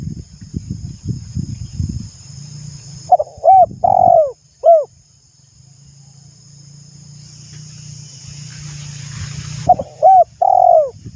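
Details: Caged spotted dove's coo for rousing untrained doves to sing: two phrases of quick hooked notes and a longer slurred coo, separated by a stretch of low rumbling and hiss, with thumps at the start.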